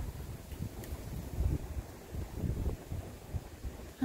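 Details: Low rumbling wind and faint rustling in a yard, with no animal voices heard.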